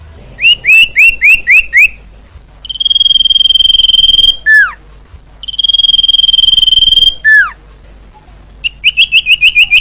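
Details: Common iora in lively song, used as a training and lure sound for quiet ioras: quick series of rising whistled upslurs, then long steady high whistles broken by sharply falling slurred notes, ending in more rapid rising whistles.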